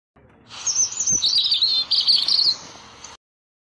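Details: European robin (Erithacus rubecula), song.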